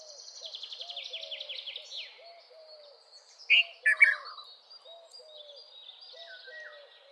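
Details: Red-vented bulbul producing a short burst of three loud, gurgling notes in the middle, after a long, fast, descending high trill from another bird, with low soft notes repeating throughout.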